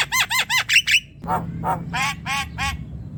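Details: Young-myna stimulation song of a Javan myna: four loud arched chattering notes in quick succession, then a softer set of rough, evenly spaced rasping calls.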